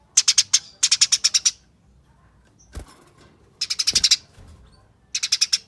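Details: Fighting chatter of Eurasian tree sparrow, rapid and tightly packed, played as a lure to make other sparrows call: four bursts of harsh, ticking notes, each five to seven strokes in quick succession, separated by pauses with faint knocks.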